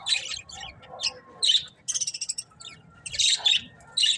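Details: Several colourful budgies chirping in short bursts of bright, scratchy chatter and squeaks, separated by brief pauses. Rapid clicking notes in the middle, then loud warbling bursts again near the end.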